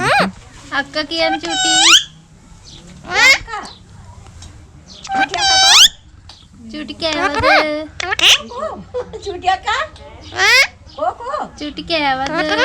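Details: Talking parrot encountered in Nuwara Eliya, Sri Lanka, heard saying "chooti chooti": repeated squeaky, whistled speech-like phrases in bursts of one to two seconds, rising and falling, across about twelve seconds.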